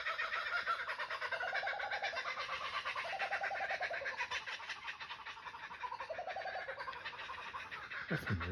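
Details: Kookaburra laughing chorus: dense, rapid, rhythmic cackling notes repeated throughout with rising and falling bursts. A brief sharp sound comes at the very end.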